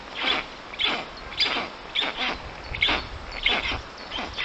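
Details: Storklets at a black stork nest in Puszcza Notecka, Poland, 13 June 2019, 14:23, during a visit by a strange stork: rapid, rough, hissing notes, broad and noisy, follow each other in uneven clusters.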